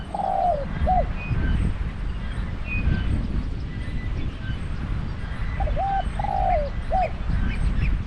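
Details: Spotted dove used as a decoy for trapping wild doves, giving two three-part cooing phrases several seconds apart, each a quick double note, a drawn-out falling coo and a short end note, over constant low-pitched rumble.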